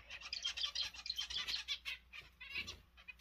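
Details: Zebra finches, newly formed pairs: a run of short, nasal, buzzy notes repeated quickly, some louder clipped beeps standing out, with soft background chatter and no other clear sounds.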